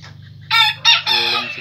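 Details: Crow of a purebred Pelung rooster, made of two short rough syllables followed by a sustained, ringing note. A low steady hum runs underneath.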